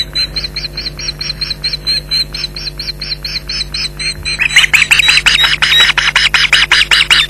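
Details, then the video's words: Nesting Ospreys at Loch Garten shouting at a persistent intruder in mid-July: a run of thin, high, piping whistles gives way to loud, harsh, rapid yelps repeated almost three a second. "Intruder Alert"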